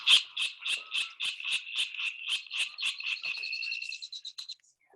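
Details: Virginia Rail, heard in a marsh at Point Reyes in spring, gives a chuckling series of about a dozen harsh, grunting notes running into a thin, high trill, likened to old men laughing at a poker game.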